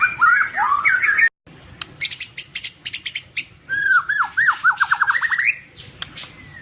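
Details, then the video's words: White-rumped shama in agile, aggressive song: warbled slurs, a volley of sharp harsh rasping notes, then a fast run of looping whistled notes rising in pitch. "Kelincahan MURAI BATU SUPER dalam berkicau"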